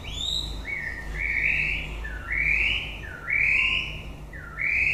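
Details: White-rumped shama singing at the end of the breeding season: a series of rich, rising whistled phrases, each swelling then sliding, repeated roughly once a second, with a faint low hum beneath.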